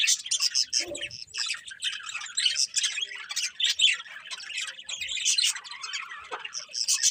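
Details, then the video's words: Birds chirping in the morning: a dense chorus of high, rapid tweets and squawky chirps from many birds overlapping without pause, with one brief lower note near the start. "Cute Birds Chirping Sounds In The Morning"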